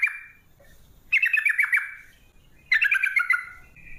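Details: Yellow-vented bulbul in a lure recording meant to set birds singing, 'ropel panjang' style: a fading whistle, then two bursts of fast bubbly chirps that step downward, over a faint low background hum.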